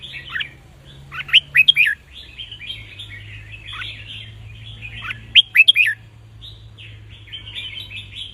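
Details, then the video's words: Caged red-whiskered bulbul singing a counted-phrase song meant for training young birds and stirring others to answer; two loud bursts of clear, jumping whistled notes stand out against a constant background of soft chattering twitters. "นกกรงหัวจุกนับดอกVIP🎉 เปิดสอนลูกนก ยั้วนกคึก นกร้องตาม"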